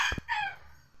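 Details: Bantam (kate) rooster with a bare neck, just starting to crow, gives a brief, hoarse crow that slides downward after a couple of soft thumps.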